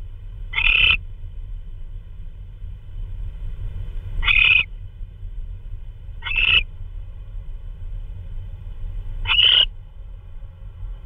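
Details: An owl delivering prey at 3:12 AM, 16 March 2013, gives four short grating screeches at irregular gaps of two to five seconds, over a quiet steady hum.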